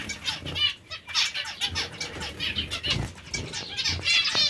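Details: A busy mix of nasal, slightly buzzy zebra finch calls rises and falls while the birds eat vegetables, with soft flutters and rustling throughout.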